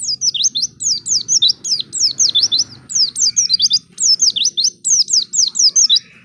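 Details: White-eye singing a nonstop high, sweet twitter of quick down-slurred and wavering notes, about three per half second, used as a lure to prompt untrained white-eyes to sing; a faint low hum underneath.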